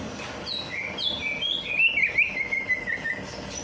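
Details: After a night bath, a bird sings nonstop as a prompt for reluctant singers: high whistled notes flow into a rising and falling warble, then fade toward the end.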